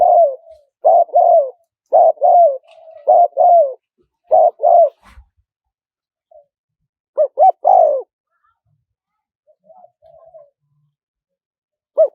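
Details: Wild-style spotted dove calling in a small voice, meant as playback to bring wild doves in fast: a steady series of double coos ending in falling croos, then a burst of quick notes and soft trailing coos.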